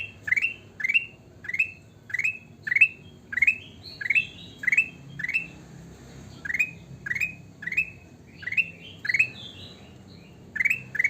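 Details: Sooty-headed bulbul in lively song, with a long run of bright, upward-sweeping whistled phrases, nearly twenty in about eleven seconds, broken by a brief pause and a few higher descending whistles.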